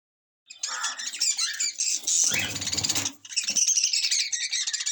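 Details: Yellow lovebirds with a new baby chick, indoors; dense, harsh chattering and squawking fills the clip, broken by a burst of rustling or handling noise midway before the busy chatter resumes.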